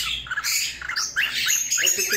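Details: A female cockatiel raising her tail while soliciting mating gives a run of short, scratchy chirps and squeaky notes, quick and uneven, with faint room noise behind.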